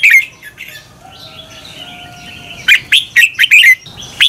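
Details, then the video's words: Red-whiskered bulbul double-twist song for training birds to sing competitively: a brief opening whistle, a soft thin tone in a quiet gap, then a lively string of sharp, bouncing chirps rising and falling. "Luyện chào mào hót sáng Giọng xoắn kép hay KÍCH CHIM CĂNG HÓT ĐẤU, luyện chào mào căng lửa"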